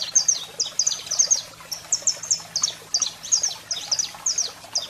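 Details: Saffron finch male singing, female calling: quick sequences of bright high chirps and short slurred notes, repeated in rhythmic bursts with a low steady hum underneath.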